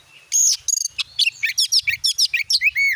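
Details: Short burst of Oriental magpie-robin song meant as a lure for a kept bird: a loud high whistle, then a rhythmic series of clipped, bouncing chirps about five per second, finishing on a slurred whistle.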